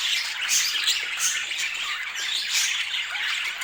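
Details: Pet budgerigars in vivid colours chirp rapidly, bursts of sharp high squeaks and warbles coming about three times a second in a lively, uneven flock chatter.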